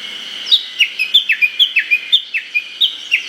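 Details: Japanese bush warbler valley-crossing call in early-summer Hokkaido forest: a rapid, even run of about fourteen sharp, descending notes, roughly four to five each second, over a steady high drone.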